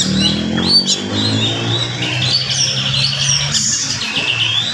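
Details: Oriental magpie-robin singing rapidly in the morning to rile other magpie-robins; high whistles and scratchy runs, ending in a series of repeated chip notes, over a steady low droning background.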